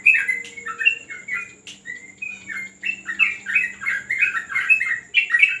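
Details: A yellow-vented bulbul in training on a terrace pours out chattering, warbled notes in quick bursts, pausing briefly near the middle before resuming a dense, lively stream of rising and dipping phrases.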